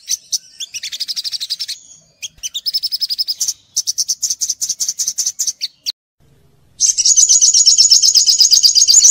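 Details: Olive-backed sunbird song used as a lure for training young birds: high, rapid chirping trills in several bursts, each a fast string of sharp notes, broken by short silences and ending in a loud, dense trill.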